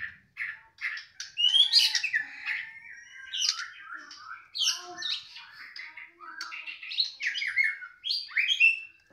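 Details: Caged white-rumped shama singing as its cage cover is opened: a dense, varied stream of chirps, squawky notes and bright whistled phrases with little pause between them.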